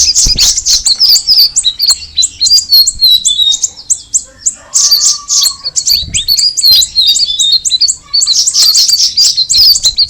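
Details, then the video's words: Straw-headed bulbul (cucak rawis) producing continuous shrill chirping runs, with a quieter patch midway where a faint level whistle is heard before the dense twittering resumes. "the alluring sound of the cucak rawis bird"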